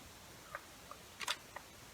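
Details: A 57-day-old Verreaux's eagle-owl chick, being returned to its tire nest in a tree after ringing on 21 September 2020, snaps its bill in a few sharp, dry clicks, irregularly spaced with a quick double near the end, as the female arrives nearby.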